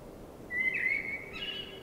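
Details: Common blackbird singing at night in spring: one clear fluty whistled phrase, starting steady, then sliding and warbling before ending on a higher note, over a faint steady low hum.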